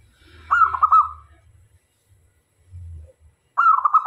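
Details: Local zebra dove singing vigorously, used as a decoy to draw in male and female doves: a rapid cooing phrase of several clipped, rolling notes, then silence before a second phrase begins, over a faint low hum.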